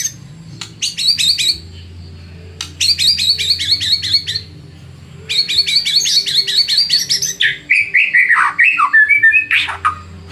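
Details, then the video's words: Lure song of a white-rumped shama, meant to stir rivals into answering. Bursts of rapid, sharp chattering notes with pauses between, ending in swooping slurred whistles over a faint low hum. "PANCINGAN MURAI BATU PENDONGKRAK EMOSI MUSUH !!! di jamin NYAUT GACOR"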